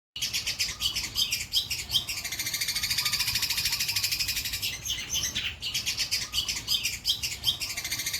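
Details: White-breasted long-tailed shrike with a rich song repertoire, pouring out dense, rapid chattering notes at a high pitch, with a brief pause before the fast chatter resumes.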